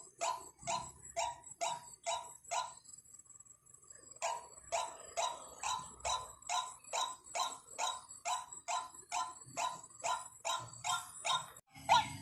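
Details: White-breasted waterhen calling, played as a lure: harsh, clipped croaks in a fast regular series about twice a second, a short pause near the fourth second, then the rhythmic series resumes.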